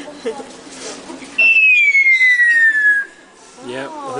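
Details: African grey parrot producing one clear whistle that glides steadily downward for about a second and a half, with soft human voices before and after it.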